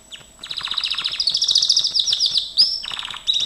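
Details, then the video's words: Gloster canary singing a training song: fast buzzy rolling trills of rapid repeated notes, rising into a bright high chatter, then a brief pause and a new rolling phrase starting at the end. "Kenari gloster,GLOSTER CANARY SINGING"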